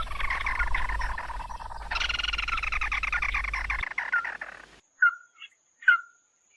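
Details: Red-eyed bird calling its flock, used as a loud lure: a long buzzy, rapidly pulsed chatter, then sharp separate downslurred whistled notes with silence between.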